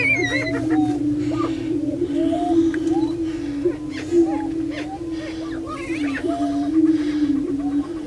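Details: On a Minnesota lek at Bluestem Prairie Preserve, Glyndon, prairie chickens keep up a droning low boom while higher whoops, chatters and a few brief higher cackles break in repeatedly.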